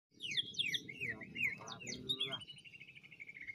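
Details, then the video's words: Greater green leafbird (cucak ijo) from Banyuwangi in a lure recording of full jamtrok, ngentrok-style song: rapid whistled notes sliding down, then a long buzzy trill holding steady, over a continuous low hum. "Pancingan Full Jamtrok -Ngentrok+Volume+Durasi"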